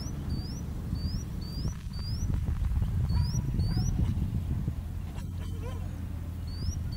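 Indochinese bushlark giving very high, thin upslurred whistles, often in quick pairs, repeated in bursts over a steady low rumble of wind or distant traffic.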